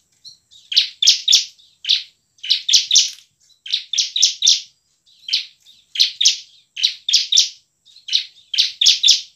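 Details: Bar-winged prinia song, used as a lure to make lazy birds sing: short groups of two to four high, harsh chipping notes, repeated steadily with brief pauses.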